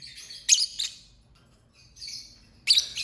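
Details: Chirping lovebird making loud, grating high chirps in pairs, a softer buzzy note in the middle, and a sharp shrill burst at the end.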